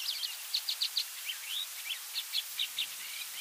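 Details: Yellow-bellied eremomela mimicking other species, including African Quailfinch, Crowned Lapwing, Pied Starling and Cape Sparrow, in a quick run of varied high chirps and short slurred whistles over a steady background hiss.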